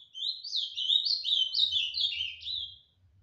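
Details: Azulão, the ultramarine grosbeak, recorded at Tijucas do Sul in Paraná, delivering one loud, continuous fibra-style phrase of quick sweeping whistled notes that tumble downward before ending abruptly, over a soft low rumble.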